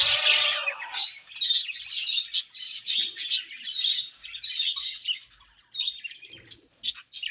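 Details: Budgerigars in breeding season chirping: a continuous busy chatter of warbles, chirps and squeaky notes from several birds, with short scratchy bursts and a few louder sharp calls.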